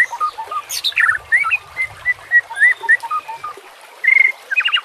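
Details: Training recording of white-rumped shama song with a background of nature sounds and gurgling water: a flowing series of short clear whistles and slurred notes, a brief pause, then a loud burst of rising whistles and trilled notes, with continuous watery hiss.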